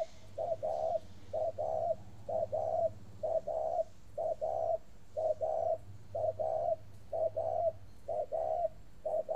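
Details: Long cooing series from a caged spotted dove in northern Vietnam: about ten evenly spaced two-part coos, short then long, low and mellow, repeating roughly every second without pause.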